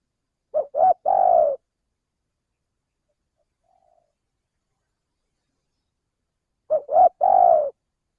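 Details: Lure recording of a male spotted dove in Indonesia, used for trapping birds: two identical coo phrases about six seconds apart, each two quick soft notes and a drawn-out mellow hoot, with silence between.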